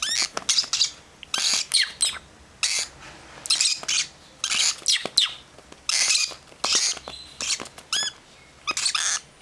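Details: Second batch of baby lovebirds kept as pets, calling with steady runs of harsh, breathy rasps, about one burst every half second, some bursts stacked closely together.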